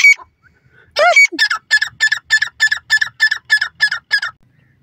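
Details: Francolin calling: a loud harsh opening note, then a steady series of about a dozen grating, rasping notes at roughly three per second, with no other sounds.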